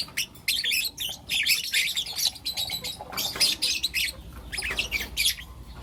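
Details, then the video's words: Four lutino lovebird youngsters in the morning give dense overlapping chirps, shrill and grating, swelling into busy clusters then thinning out, over a soft low background hum. "Lutino LoveBird Chirping Sounds"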